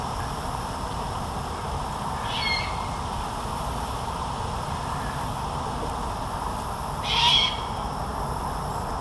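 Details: Young, full-grown great horned owl at Fenner Nature Center, Lansing, Michigan, calling for its parents to feed it: two raspy, hissing screeches several seconds apart, the second louder, over a steady broad background hiss.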